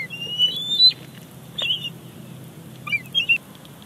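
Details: Young bald eagle begging at its Big Bear Lake nest on 28 July 2019 as the mother delivers a fish: thin, high, rising squealed whistles, one long drawn note then short broken squees, with quiet gaps between.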